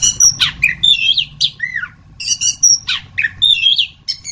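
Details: Anis kembang, the orange-headed thrush, in full song: two bursts of mixed whistled slurs, downward-sweeping notes and scratchy chatters separated by a short lull, with a steady faint hum underneath.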